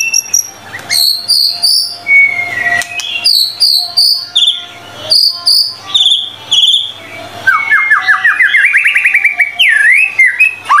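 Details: White-rumped shama in a song-training recording: bursts of high ringing notes alternating with lower slurred whistles, ending in a rapid rising trill and sharp sweeps, with low background hum.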